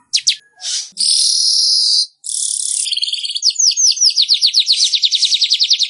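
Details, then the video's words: Weaver (burung manyar) song used as a master recording to train kept birds: short buzzy bursts and a long dry hissing sizzle, then a rapid run of sharp, downslurred chips repeated several times a second. "Masteran Burung Manyar"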